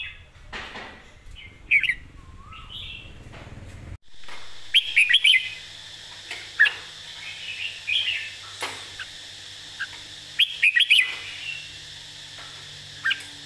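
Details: Red-whiskered bulbul model song in a clear phrasing style. Several short, bright whistled phrases and scattered chirps sound over a steady hiss, with a sudden change in background noise partway through.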